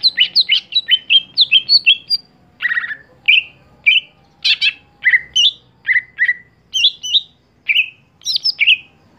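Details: Caged greater green leafbird, a contest songbird, singing a long varied phrase of rapid chirps followed by evenly spaced slurred whistled notes repeated about every half second.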